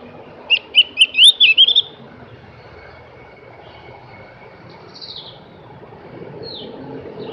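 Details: Javan grey-throated white-eye (opior jawa, cak gentong) singing a brisk burst of about seven high whistled notes rising in pitch over under two seconds, followed by quiet background with faint distant high chirps and low rumbling noise.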